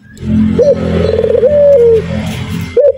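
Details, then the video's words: Local male Barbary dove cooing in 'nguku' style. One pulsed coo stretches into a smooth held note that falls away, and a rising hook follows. A strong low hum and hiss sit underneath. "Suara Burung Puter Jantan Super Nguku Gacor"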